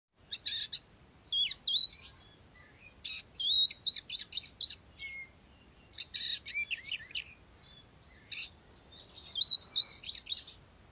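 An Oriental magpie-robin sings a lively, varied song of sweet whistles, scratchy notes and quick trills in short bursts, against a quiet background.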